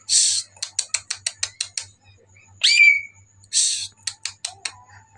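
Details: Greater green leafbird singing busily at night: buzzy rasping bursts alternate with quick strings of high clicks and a single clear rising whistle, with a faint steady low hum beneath.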